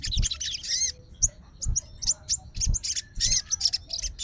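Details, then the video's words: Fighter sooty-headed bulbul calling a rival, giving irregular short, sharp high notes and quick chirp bursts, with repeated low thumping knocks throughout. "SOGON FIGHTER LANGSUNG RESPON DENGAR SUARA SOGON GACOR"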